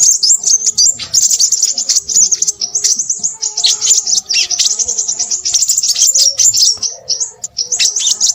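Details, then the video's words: Restless, noisy Crimson sunbird song: an eight-second torrent of very high, sibilant chips and rapid trills, briefly pausing twice before resuming at full pace. "burung sepahraja ribut"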